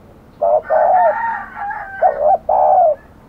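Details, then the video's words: Spotted dove from a village, described as aggressive, giving low hollow coos: a short double note and a long drawn coo, overlapped midway by a steadier, higher, wavering call, then another double note and long coo. "burung terkukur kg galak"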